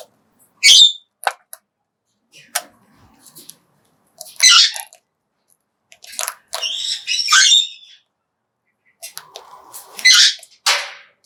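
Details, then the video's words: Major Mitchell's cockatoo kept as a pet, tasting high-protein feed indoors; sharp isolated cracks from eating between rough, high screeches, some drawn out and raspy, separated by short silences. "메이저 미첼 코카투의 먹방!"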